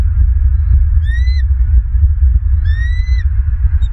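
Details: Bald eagles at their Southwest Florida nest, filmed by nest cam on 14 January 2023 at about 6:29 a.m.; two clear, drawn-out, thin rising squeals about one and a half seconds apart, set against heavy low rumbling background noise.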